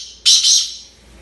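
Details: Black francolin, known locally as kala tetar, a desi-bred bird kept in the UK, giving one loud, harsh, raspy screech about half a second long that fades quickly into quiet.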